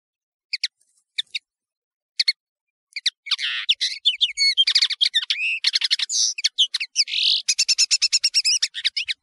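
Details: European serin, known as Nino in Algeria and Kamatcho in Morocco, in a clear recording for tutoring birds. A few sparse high chirps open, then a fast, continuous, glittering jingle of thin, buzzy, high-pitched notes.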